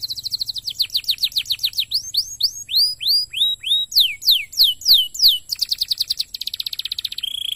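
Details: Stimulating canary song to set other canaries singing: loud fast trills, then a run of sweeping downslurred whistles repeated about three per second, shifting into rapid buzzy rolls and a lower trill at the close.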